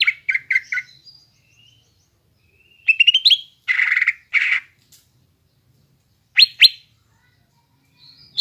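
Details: Greater green leafbird lure song for untrained young birds: short scattered phrases of quick chips and whistles, two buzzy rasps, a pair of sharp high notes, long quiet gaps between.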